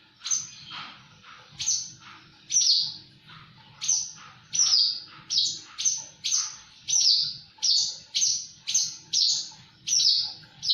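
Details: Javan bush lark gacor song as a steady series of high, downward-slurred buzzy notes repeated about every half second, with a low rumbling hum in the background.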